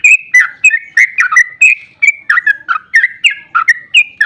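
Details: Sooty-headed bulbul in fast, emotional ropel song used as a lure for other bulbuls: bright whistled notes tumbling together, each bending or dipping in pitch, repeated several times a second in a continuous, lively stream.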